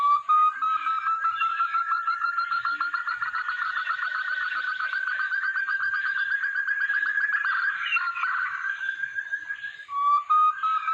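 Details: Sumatran partridge, a male taken by trapping in Sumatra's forest, gives a loud call: a long run of rapid whistled notes, about three to four per second, slowly rising in pitch, then a brief pause and a fresh lower start.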